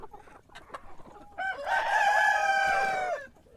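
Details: Morning crow of a rooster: soft scratchy background sounds, then one strong, rich crow rising in and holding steady for nearly two seconds before tailing down.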